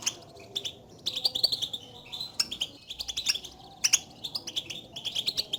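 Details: European goldfinch contact twitters, said to stir a lone caged bird into song: quiet opening, then rapid high tinkling chirps in clustered phrases to the end.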